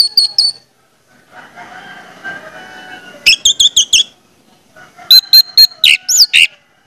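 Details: Orange-headed thrush singing as a lure to prompt other thrushes: a brief high whistle, a stretch of soft lower background noise, then two loud bursts of sharp, high, stuttering whistled notes.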